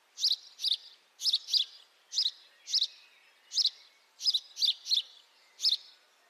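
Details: House sparrow calls on a high-definition microphone: about a dozen sharp chirps, often in doubled pairs, repeated steadily across six seconds in a quiet setting.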